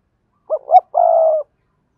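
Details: Spotted dove from Dong Nai, Vietnam, a decoy bird cooing to lure and provoke other doves, in a double-voiced style: two short soft hooting notes, then a longer sustained purring coo, clean with no background.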